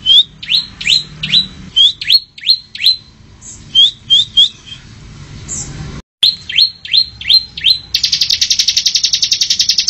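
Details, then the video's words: Bar-winged prinia singing a quick series of high, sharply rising whistled notes, about three per second, ending in a fast buzzy trill. "ciblek gacor bocor"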